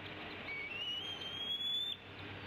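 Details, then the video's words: Female bald eagle on the Decorah nest in the afternoon of 29 April 2016, tea kettling at her mate: one long thin whistle rising gradually in pitch over about a second and a half, against steady hiss. "Dad ignores Mom's tea kettling"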